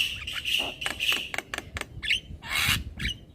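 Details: Young black-winged myna singing nonstop with head bobbing: drawn-out whistled notes among clicks, then a burst of harsh, broad squawking and a short upward whistle.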